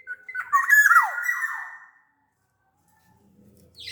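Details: Sumbawa black-naped oriole giving one rich, fluty whistled phrase with quick wavering notes that slide downward, followed by near silence and a faint low rumble.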